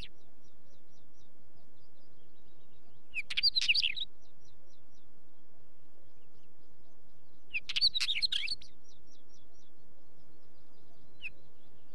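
A wheatear gives two short, scratchy, crackling song phrases about four seconds apart, with faint ticking notes between them over a low rumble of wind.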